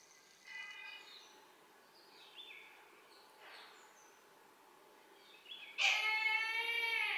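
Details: Brahminy kite calling right at a window, a harmonic-rich, drawn-out quavering cry that swells loudly near the end after fainter high notes and short calls earlier.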